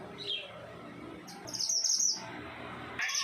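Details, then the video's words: Pied triller just beginning to sing, phrases not yet long: a high, thin chirping burst of about half a second, then another short high note starting near the end, over a steady background hiss. "BURUNG MANTENAN GUNUNG UDAH MULAI BUNYI WALAU GAK BEGITU PANJANG"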